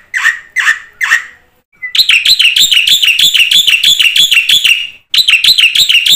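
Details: Song of a black-winged myna, full of varied phrases and used to coax quiet mynas into song: three slurred whistled notes, then a long fast run of bouncing, buzzy notes that pauses once and starts again.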